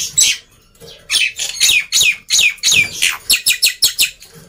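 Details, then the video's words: Loud, busy black-winged myna song used as a trigger for quiet mynas: a quick, irregular string of harsh downslurred squawks and chattering notes, about three per second. "Kicauan Burung Jalak Putih Gacor Ribut || Pancingan Burung Jalak Malas Bunyi"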